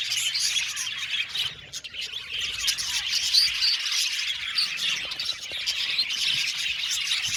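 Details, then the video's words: A group of budgerigars chattering nonstop: high, overlapping chirps and squawky warbles form a busy, uneven flow, with a few clearer whistled notes rising out of the din and a brief dip in the middle. "Beautiful budgies chirping sound"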